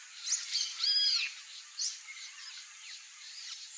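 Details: Wild turquoise-fronted amazon (Amazona aestiva) in natural habitat in Brazil gives harsh, nasal squawks with a drawn-out wavering note, then softer scattered chatter over a steady high hiss.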